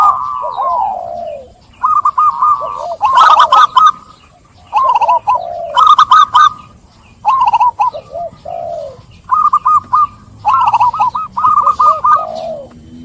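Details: Zebra dove song for therapy of doves silenced by stress after trapping: repeated phrases of quick clicking notes and wavering coos, loud bursts roughly every one to two seconds over faint background hiss.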